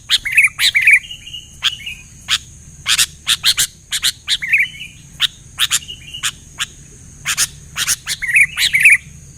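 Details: Sooty-headed bulbuls calling back and forth after a loud singer: short bubbling, fluty warbles mixed with sharp dry clicks, repeated in scattered phrases roughly twice a second, with a constant high-pitched hiss behind.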